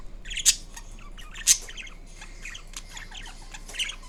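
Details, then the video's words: Caged green Indian ringneck parrot producing mixed calls: two loud shrill shrieks about a second apart amid softer rapid chattering and chirps. "Kiwi The Ringneck Parrot Making Different Sounds Part 2"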